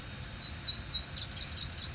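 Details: A cactus wren at sunrise in Arizona on 6 April 2020 gives rapid, harsh, grating notes, about four per second, likened to a car trying to start, fading into softer chatter over faint background noise.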